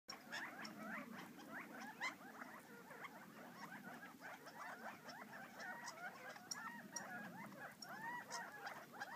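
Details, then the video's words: Wild Gambel's quail feeding outside Florence, Arizona, give a dense, continuous chatter of short rising and falling notes from many birds at once, with soft patter and a low rumble underneath. "Arizona Gambel Quail #3"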